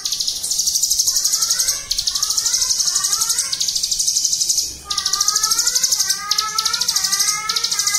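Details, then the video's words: A Bar-winged Prinia pours out an unbroken, very high buzzy trill, with lower rising whistled phrases repeating roughly every one to two seconds. "Ciblek Gunung Bren Ngunci Istimewa"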